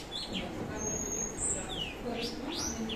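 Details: Cucak cungkok, or grey-cheeked bulbul, a skilled mimic with a varied song, producing a few spaced, loud whistled notes that slur down or swoop upward, with a faint low hum underneath.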